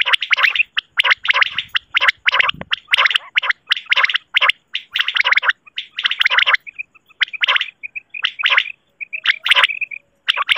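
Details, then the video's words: Female common quail call from Pakistan, played as a lure for quail hunting and netting. Dense bursts of rapid, gargling notes repeat about once a second, with short thin piping notes between the later bursts. No other sounds. "batair ki awaz"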